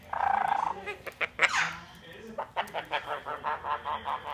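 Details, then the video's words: Caique parrot indoors, trying to find a way around an orchid pot toward breakables: one harsh honking squawk, then a rapid run of evenly spaced, throaty, laugh-like notes, about five per second. "Evil Laughing Caique Parrot"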